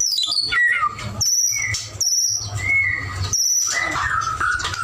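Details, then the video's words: White-rumped shama singing actively: a descending run of notes, then drawn-out high whistles and lower slurred phrases, roughly one and a half phrases a second, over a constant low hum. "murai batu gacor"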